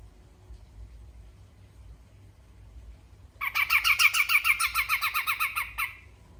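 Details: After a few seconds of near silence, a grey-cheeked bulbul from Sumatra breaks into besetan song, a dense rattling chatter of harsh notes at roughly three per second lasting about two and a half seconds.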